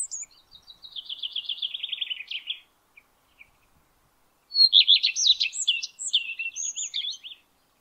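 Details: In May 2022 a male Common Redstart sings from the top of a spruce. A fast string of buzzy notes falls slightly in pitch. A pause follows, then a varied burst of high chirps, trills and squeaky notes.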